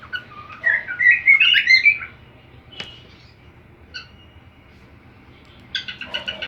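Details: Cockatiel learning a song from another cockatiel: a loud warbled whistled phrase of about one and a half seconds, then a click, a few faint chirps, and a burst of rapid quieter chirping notes near the end.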